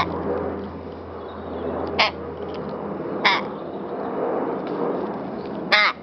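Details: Rook at play with a feather and a flower, giving three short, harsh caws spaced a second or two apart over a steady background hum.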